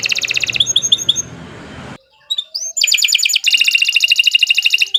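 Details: Domestic canary song for training other birds as a master recording: a rapid high trill with sweeping notes, a short silence, then a rising whistle and loud fast trills.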